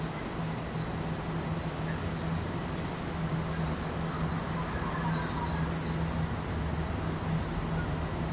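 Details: Roosting Vaux's swifts on fall migration above a chimney in Eugene, Oregon, after being spooked, recorded at 2.5x speed: rapid high chittering from many birds swelling into louder dense bursts, with a constant low drone underneath.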